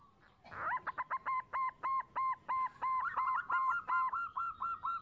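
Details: Zebra dove, local type, singing to attract other doves: a brisk sequence of about twenty clear cooing notes in steady rhythm, slightly hissy background and a thin high whine.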